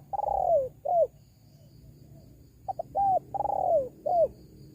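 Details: Spotted dove call as a lure for wild doves. A long falling coo and a short drop end one phrase. A second phrase follows with short lead-in notes, a level coo, a long descending coo and a final note.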